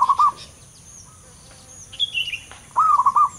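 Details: Wild zebra dove, locally perkutut lokal, heard in the wild giving short rolling trilled coos, with a bubbly warbling phrase at the start and another at the end, a faint high whistle from another bird between, over low background hum.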